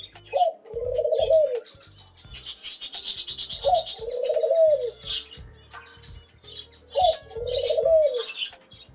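A dove gives soft, low cooing phrases, each a brief rising note and a longer rolling coo, repeated about every three seconds. Higher chirps from other birds are heard too.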